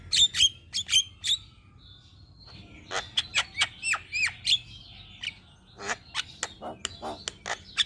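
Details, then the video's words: Javan myna singing in a cage, offered as master audio to draw out other birds; clipped high whistles and squeaks in spaced groups, then a run of rapid sharp clicks and chirps, background quiet. "Burung Jalak Kebo Gacor Mental Juara Tetap Bunyi Siang Malam Pas Buat Masteran dan Pancingan"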